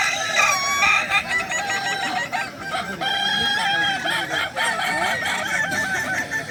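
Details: Kukuak Balenggek roosters at a crowing contest at Danau Bawah on Sunday, 6 October 2024; several birds crow over one another with long, harmonic, wavering notes, some rising and falling in steps, amid the background hum of a crowd.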